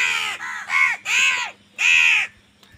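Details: Loud crow calls while crows fight for food: three strong, hoarse, drawn-out caws, each arched and rich in harmonics, the last separated by a short pause, with a faint constant hum beneath.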